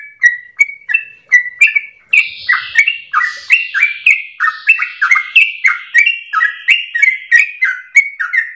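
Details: Yellow-vented Bulbul, locally trucukan, in long lively song used as a lure for training birds: slower chirps at first, then a crowded run of up-and-down notes continuing to the end.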